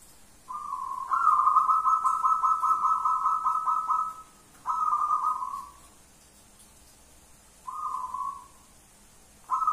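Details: Local wild zebra dove calling insistently: a long, steady, fluttering trilled note held nearly four seconds, then shorter trills of the same pitch with quiet pauses between, a faint hiss in the background.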